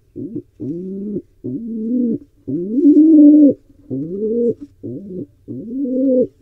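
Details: Wild pigeon at a barn owl and pigeon nest cam in Israel, trying to breed: low, hollow coos in about seven bursts, each rising then levelling off, with short gaps between them.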